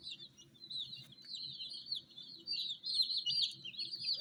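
Many chicken chicks peeping together in a dense, high-pitched chorus of short chirps.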